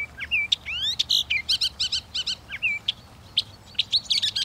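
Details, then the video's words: Northern mockingbird singing a fast, varied medley of whistles, slurred upsweeps and rapid repeated chips, each phrase repeated a few times before switching. "The song of the Northern Mockingbird"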